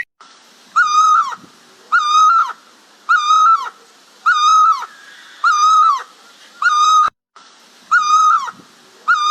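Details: White-browed scimitar babbler, a small bird, repeats a nasal, harmonic-rich call with a slight rise at the end, sounding about once every 1.2 seconds with even timing, against a quiet background.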